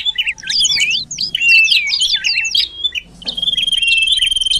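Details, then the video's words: Common iora calls used as a bird lure: a burst of jumbled high twittering notes, a short pause, then an even, steady whistle with regularly pulsed chirps over it. "Suara Pikat Sirtu Cipoh || Di jamin Mendekat"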